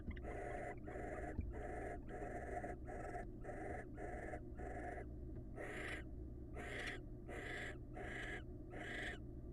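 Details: Pair-bonding wild barn owls trade rapid raspy hisses, short bursts at first and then longer, louder screechy ones, roughly two a second, with a faint click early on and a steady hum.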